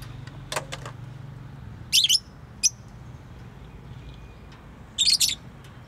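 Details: Pet bird giving a few short, scratchy high chirp bursts, one near two seconds, a brief single tick after, and another cluster near five seconds, set against a quiet room with constant low humming.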